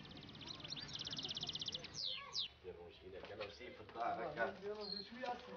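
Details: A 15-year-old caged European goldfinch from the Annaba area, Algeria, a very good singer, sings a fast, high, tinkling trill, then quick rising twittered notes, while a man talks over the second half.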